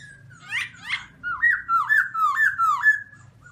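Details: Black-throated laughingthrush singing very loud in a bird cage: two rough rising notes, then a rapid run of five or six rolling whistled notes, each dipping and rising, over a steady low hum.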